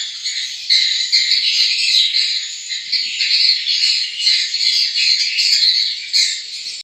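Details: Newly hatched swiftlet chicks make a dense, high, wheezy buzzing that swells and fades in short rapid pulses, continuing unbroken.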